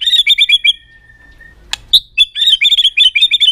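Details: White-rumped shama singing aggressively to stimulate other birds: fast repeated whistled notes in a stuttering series, a long thin level whistle, a sharp click, then a renewed rapid rolling series.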